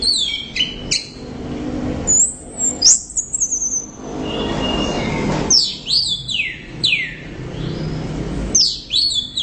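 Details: Loud song of an orange-headed thrush: sweeping, strongly slurred whistles arc downward, mixed with rapid high twittering runs and brief pauses, over a low background rumble.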